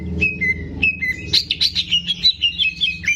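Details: Caged greater green leafbird in full song for training young birds: clear whistled notes sliding downward, then a rapid rhythmic series of bright, warbling phrases repeated about five times per second, with low background hum.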